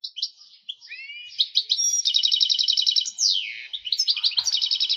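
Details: Excited goldfinch singing to stimulate hens to breed; scattered chirps and rising whistled slides give way to fast evenly repeated notes, a downward sweeping note, and renewed bright twittering.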